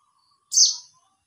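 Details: A mountain white-eye calls out to other white-eyes with a single sharp, buzzy, high chirp that drops briefly in pitch. The background is quiet.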